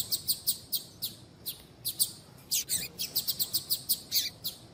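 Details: Rapid run of thin, high ticking chirps from a female double-collared seedeater calling males, about four notes a second and uneven in loudness, against a soft background hiss.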